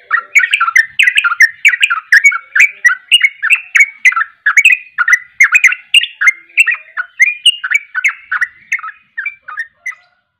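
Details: Sooty-headed bulbul in lively ropel song, a dense, rapid run of bright chirped and whistled notes, varied and tumbling with barely a pause, fading out near the end.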